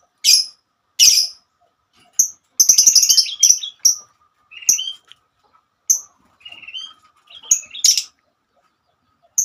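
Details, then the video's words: Sparse high chirps from a female lovebird, separated by pauses, with a short, rapid, rattling cluster and a few softer, lower rising notes in between. "Kicauan burung Lovebird"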